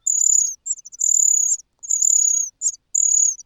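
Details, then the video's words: Loud hunger cries of a cuckoo chick among fed nestlings: shrill, sustained high-pitched wheezy notes, several in quick succession with short clicking bursts between them. "The natural chicks are full, while the cuckoo cries loudly out of hunger.亲生的小鸟都吃饱了，杜鹃鸟饿得吱吱叫"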